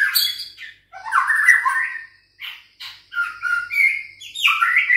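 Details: Six-week-old juvenile White-rumped shama of Bahorok lineage, kept caged and being trained against a rival. It sings a busy, varied phrase of harsh chattering bursts mixed with short whistled notes that slide and warble, with brief pauses between.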